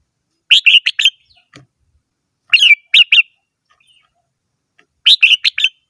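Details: Red-whiskered bulbul repeating rapid four-note whistled phrases roughly every two seconds, with a second short burst after one phrase and faint low taps between.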